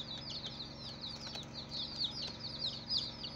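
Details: Newly hatched chicks on their first day, many high thin peeps sliding downward and overlapping continuously, over a faint constant background hum.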